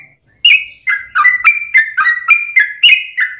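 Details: ['Yellow-vented bulbul, gacor lure song for making other bulbuls respond: a string of about nine clear, liquid, whistled notes stepping up and down in quick succession.']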